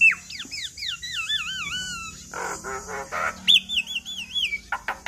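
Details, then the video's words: Lively gacor song of a Javan myna with wavering, trilled whistles that fall in pitch, broken by harsh rasping bursts, then another wavering whistle and a few sharp chips. "Jalak Kebo Gacor Full Isian"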